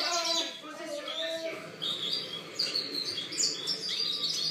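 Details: Goldfinch song, 2013: begins with lower drawn-out notes, then shifts to high tinkling chirps and twittered phrases in quick succession.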